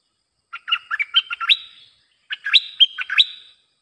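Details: Bulbul song used as a lure for wild birds: two bursts of quick, bubbly warbled notes jumping between low and high pitches. Each phrase ends in a longer, level whistle. A clean, quiet background.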